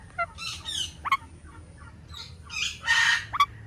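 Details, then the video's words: Indian ringneck parrot giving harsh, raspy squawks mixed with short sharp chirps, several calls within a few seconds, with a faint high steady tone in the background. "Indian Ringneck Parrot Natural Sounds"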